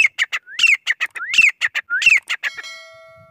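Grey francolin giving loud, shrill rising phrases about every 0.7 seconds, each followed by sharp clipped notes, ending in a ringing bell-like tone.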